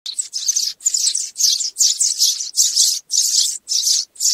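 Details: Sparrow calling the flock, a recording used for trapping birds: dense, high, scratchy chirp bursts, each about half a second long, repeated roughly twice per second with short silent gaps.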